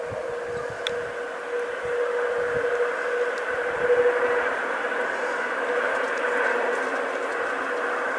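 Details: No animal sound stands out; a steady mechanical hum with a constant tone drones throughout, like a passing train.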